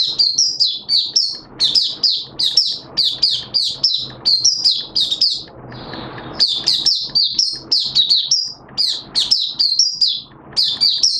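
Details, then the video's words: Caged Malaysian white-eye (mata puteh) in full open song, recorded 21 June 2023: rapid high twittering phrases of sharp, slurred chirps, repeated in bursts with a brief pause near the middle, faint background hiss. "Malaysian Mata Puteh Buka Sing"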